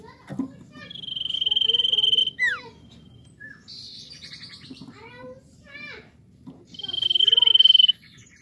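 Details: Common iora singing strongly to encourage untrained birds to sing: a long high trill with a steep falling whistle, then scattered slurred chirps, then another sustained trill. Steady low background hum.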